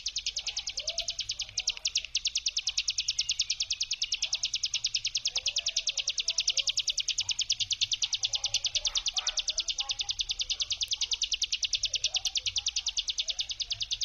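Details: Prolonged brem trill of a hill prinia, a lure sound meant to stir other prinias to answer and fight. Dense, fast, perfectly regular high buzzy pulses continue throughout, with scattered faint calls of other birds.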